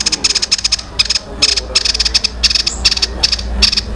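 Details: Young songbird, described as sounding like a fighting tree sparrow, delivering a long, tight, rolling song: rapid bursts of high, dense chirping pulses repeated in quick clusters, separated by brief pauses, over a low background hum.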